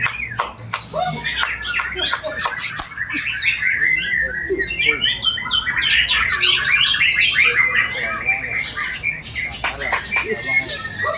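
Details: White-rumped shama, bowing while singing a lavish imitation-filled song: sharp clicks and ticks early on, then dense warbling and whistled phrases building in loudness through the middle.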